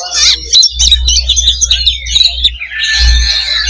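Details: Oriental magpie-robins sing in a crowded fighting simulation: sharp whistled notes and clicking chatter in quick bursts, ending in a dense buzzy stretch, with a low hum in the background.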